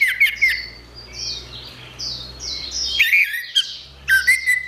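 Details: Orange-headed thrush singing gacor with harsh, squawky phrases mixed with clear downslurred whistles. A louder burst of chips comes near the end, over a faint low hum and high background chatter.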